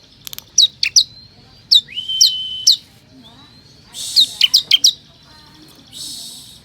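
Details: Ciblek kristal lure song for attracting wild ciblek: clusters of sharp high chips, a long level whistle and rising slurs, with bursts of hiss toward the end.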